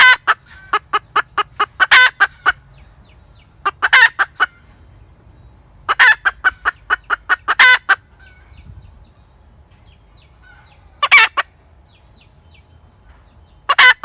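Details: Hen cackling in bursts of quick, clipped clucks, each run ending in a louder, drawn-out harsh note, with bursts at about two-second gaps separated by quiet pauses.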